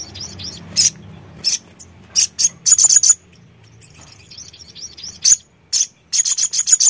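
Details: Sogon song of shrill high notes: spaced single chirps, then quick rattled runs, a pause of soft twittering, and another rapid burst at the end.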